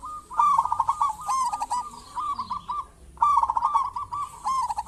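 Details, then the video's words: Local zebra dove in full song, used as a lure to set other zebra doves calling: mid-pitched cooing phrases of rapid stuttered notes ending in a drawn coo, two bursts separated by a short pause. "Perkutut lokal gacor cocok buat pancingan burung perkutut"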